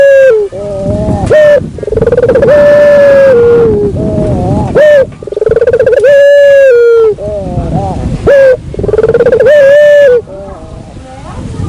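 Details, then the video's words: Barbary dove lure call, used to attract other doves: loud, drawn-out, harmonic cooing notes at a low-mid pitch, several long rolling coos separated by brief breaks, with an occasional short higher note and a slightly distorted, overdriven tone. "suara pikat burung puter"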